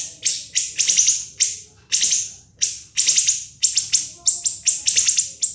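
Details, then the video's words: [['Siri-siri song used as a masteran for training murai batu, kacer and cucak ijo, in non-stop ngebren style: sharp, shrill downward-sweeping notes in bursts of two to four, punchy and rapid, over a quiet background.']] "MASTERAN BURUNG SIRI-SIRI NGEBREN SUPER PEDAS TEMBAKAN TAJAM & SUPER PANJANG"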